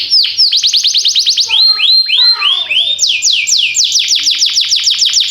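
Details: Canary song used to train canaries: rapid series of bright, high descending sweeps, a slower passage of lower, fuller swooping notes, then another quick run of sweeps, with a faint low hum in the background.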